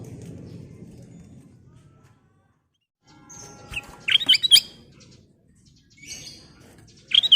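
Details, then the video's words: Sooty-headed bulbul, called kutilang emas, singing a full lure song used to draw other birds: a quiet gap, then bright chirped phrases with sharp rising and falling notes, a short pause and a further burst. "Kicau Burung Kutilang Emas full isian"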